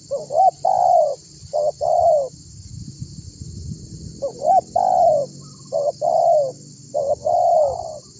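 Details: Spotted dove, a calling bird used as a lure to draw other birds into song: phrases of short rising hooked coos followed by a long descending coo, two phrases with a pause between, low rumbling background.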